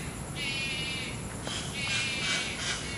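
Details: Malayan night heron feeding chicks at night in Taichung, Taiwan, on 30 July 2020, giving two harsh, buzzy, nasal, high-pitched rasping bursts about a second apart over steady background hiss.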